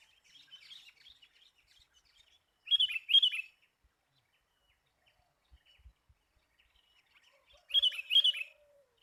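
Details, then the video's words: Sooty-headed bulbul lure sound: soft twittering, then a loud paired chirp, silence, and another loud paired chirp about five seconds later. "Mikat burung kutilang yang sangat ganas"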